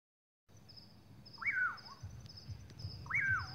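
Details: A Common Pauraque on a moonlit night in farm countryside gives two whistled calls that swoop sharply up, then slur down, about two seconds apart, over a faint high insect hum and low rumble.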